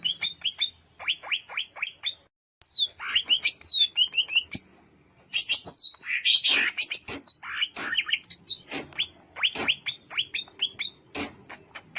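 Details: Wild greater green leafbird at Alas Purwo, Banyuwangi, giving a lively varied song: runs of sharp downward-slurred chips, scratchy mimic-like bursts and high thin whistles, delivered in fast rhythmic sequences broken by short silences.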